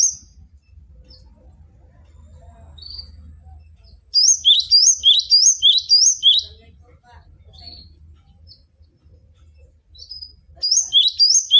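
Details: Javan sparrow kept as a training bird delivers a run of about eight rapid, high chirps with upward-bending slurs, scattered single notes before and after, and a low hum underneath.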